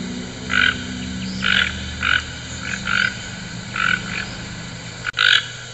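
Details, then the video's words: A toucan gives rough, croaking notes, about eight in six seconds at an uneven pace, over a steady low hum with a sharp click near the end. "CANTO DO TUCANO!"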